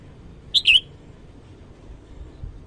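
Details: Red-whiskered bulbul in the morning giving a brief two-note whistled phrase, the second note slurred downward, followed by near silence.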